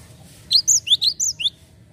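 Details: Java sparrow lure recording used to draw other birds: seven high, clipped chirps packed into about one second, some rising and some falling, then quiet.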